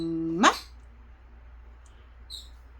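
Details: Blue Quaker parrot, a talking bird, saying the Korean word "eomma" (mom): one short voiced utterance, a low steady tone bending into a quick rising sweep, then near quiet with faint high chirps and a sharp click at the end.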